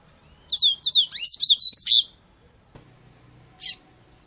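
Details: Double-collared seedeater singing a fast, high, warbling phrase of downslurred and twittering notes lasting about a second and a half, followed by a soft click and one short sharp call note.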